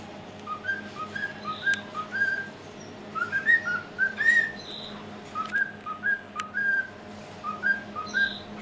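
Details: A hand-fed male white-faced cockatiel whistles a learned tune in clear, bright notes, rising and falling in short repeated phrases.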